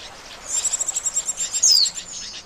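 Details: Oriental white-eye call played as a trapping lure: a short run of rapid high chirps followed by a bright falling whistle.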